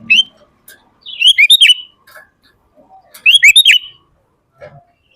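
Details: Energetic sooty-headed bulbul song, used to train and call other bulbuls: two bursts of quick bubbly whistled notes about two seconds apart, with soft clicks and quiet gaps between.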